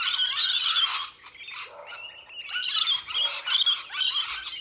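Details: Rainbow lorikeets feeding on a winter supplement, July 2014, in the wild; harsh, high, rasping screeches in rapid overlapping bursts, loudest at the start, with short gaps between clusters of calls.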